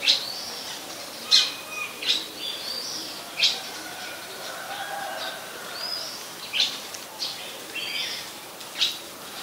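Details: Oriental magpie-robin, very common resident, in song at Ubon Ratchathani, Thailand, 26 December 2020: a string of sharp high whistles and short slurred phrases, irregularly spaced over several seconds.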